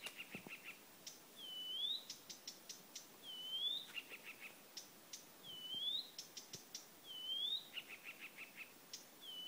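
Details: Blyth's reed warbler singing at Lindö udde in 2011: unhurried phrases of a rising whistled slur, then short ticking notes repeated three or four times, with brief pauses between.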